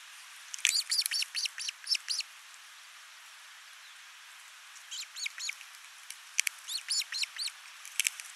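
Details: Osprey at a Finnish nest camera on 29 June 2024, male arriving with a big live fish while the female feeds a single chick; two clusters of short whistled chirps separated by a quiet gap, over steady background hiss.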